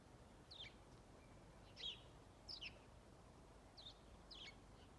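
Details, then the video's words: Lone house sparrow giving powerful calls on 21 December 2022 at Strömgatan, Haga: short, bright chirps, about five in five seconds at an uneven pace, over a low background hum. "Gråsparv lockläte"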